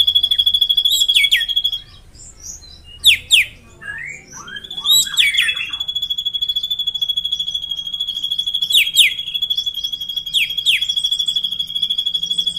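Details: Indonesian drongo singing at length: a pulsing high whistled drone broken by bursts of sharp downward-sweeping notes, a brief quieter gap with scattered chirps, then the drone resumes.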